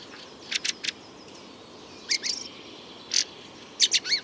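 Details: Fieldfare chattering at night as part of a chorus, a harsh, unmelodious voice: three quick rasping bursts, then scattered squeaky, chattering notes at intervals against a quiet background.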